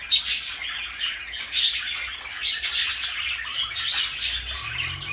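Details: Two parakeets kept as pets, one blue and one light yellow, fill the room with quick chattering chirps and squawks, plus a faint low hum near the end.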